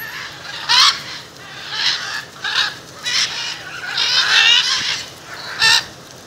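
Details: A gathering of macaws outside a house in Jaumave, Tamaulipas, Mexico, in February 2015 gives harsh, raspy squawks in scattered bursts, some single and some in overlapping clusters, with quieter calls between.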